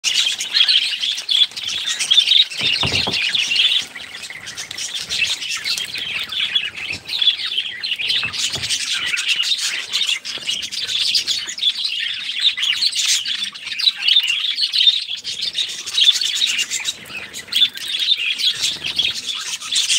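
Budgerigars chatter continuously with rapid, high chirps and warbling twitters.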